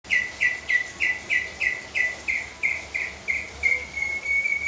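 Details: Leafbird singing a steady series of short, bright chirps, about three a second, each note slurring down. The notes stay on the same pitch throughout, with faint background hiss.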